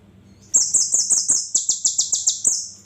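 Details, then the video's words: Sunbird, locally called kolibri ninja, with 'spicy' song material: after half a second of quiet comes a loud, very high, rapid trill of sharp repeated notes lasting about two seconds, dropping slightly in pitch midway, over a faint low hum. "Kolibri ninja materi pedasss"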